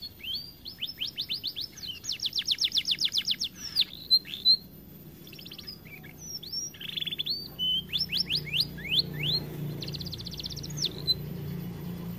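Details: Song of a canary that the owner says sings little because it is overweight: bursts of quick trilled notes and upslurred whistles separated by short pauses, with a faint low hum underneath.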